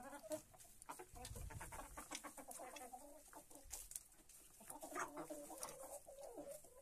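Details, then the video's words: Flock of hens pecking grain at dawn after leaving their perches; continuous chatter of short clucks and soft tonal calls with constant pecking clicks and some low rumbling. "gallinas comiendo"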